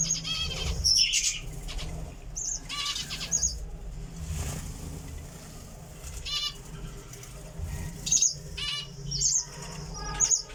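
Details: Java sparrow calling with clear, bell-like chips and short ringing notes, spaced irregularly over about ten seconds, above a constant low hum.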